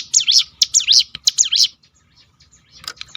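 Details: Crested honeyeater, known as ciblek gunung, in a 'tembakan' roll played to draw song from other birds: three rapid, high, zigzagging chirps, then near silence with a faint click.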